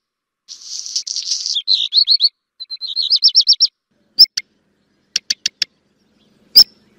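A black redstart gives a high, scratchy, rattling phrase, then a run of quick rising notes, followed by several sharp, isolated ticking calls.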